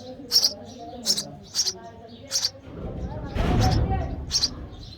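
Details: Sparrow chick calling for food in the nest as its mother feeds it; several high, scratchy chirps, interrupted near the middle by a broad rustling burst of noise, then another chirp.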